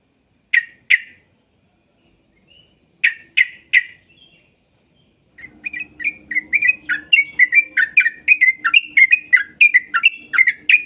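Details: Sooty-headed bulbul song used as training playback so young birds start singing sooner: a few separate sharp notes, a pause, then a fast continuous run of chattering, bubbly notes.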